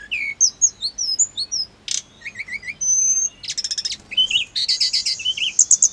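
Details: Hill blue flycatcher song used to make caged birds answer: a rapid, high, varied medley of thin whistled slurs, buzzy trilled bursts and repeated chirps with almost no pauses.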